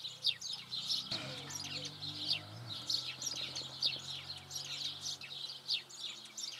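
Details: Locally scarce Eurasian tree sparrow giving its song: steady stream of sharp, high chirps and tweets in uneven succession, over a faint low rumble and brief background noise near the start.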